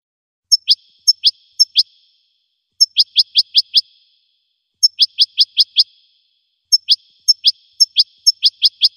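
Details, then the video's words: Goldfinch song given in separate bursts of sharp, high, downward-sweeping chirps, three to six per burst, with pauses of about a second between phrases, clean and without background noise. "Golden-feathered Goldfinch singing"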